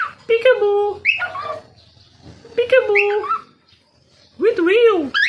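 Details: A tame pet cockatiel talks in short, high-pitched, speech-like phrases with a slightly nasal, wavering tone, apparently saying 'peekaboo' repeatedly.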